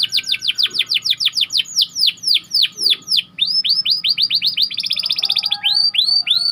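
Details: Canary bait song opening with a rapid string of downward-sweeping chirps, a few slower deep sweeps, then a long fast rolling series of chirps and a brief buzzy trill, finishing with upslurred whistles.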